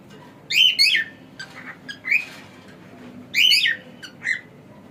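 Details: Domestic cockatiel, male, uttering raspy two-part chirps at the start and again near three and a half seconds, with softer squeaky notes between.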